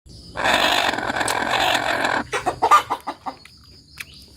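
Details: Village hen (ayam kampung) cackling "tok tok petok" after laying an egg. A loud, broad rush of noise is followed by a string of clipped clucks that fade away.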